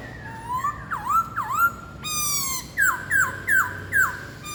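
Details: Red-whiskered bulbul aged four months, singing with wing and tail display: rising whistles and deep swooping notes, a held tone, then four loud downslurred whistles at even spacing.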